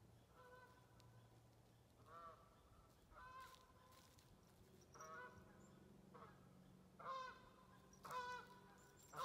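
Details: Geese at sunrise on a long spring day, giving a series of nasal, harmonic honks in short bursts spaced about a second or two apart, louder toward the end, over a low steady background hum.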